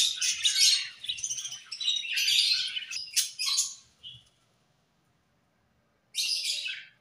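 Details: Budgies at playtime give bursts of high, rapid warbling and sharp chirps for about four seconds, fall silent, then resume with one more short chattering burst.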